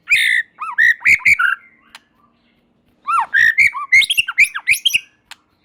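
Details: White-rumped shama, called murai batu, singing to provoke other shamas: two bursts of loud, rich, slurred whistles and squawky notes, interspersed with sharp ticks.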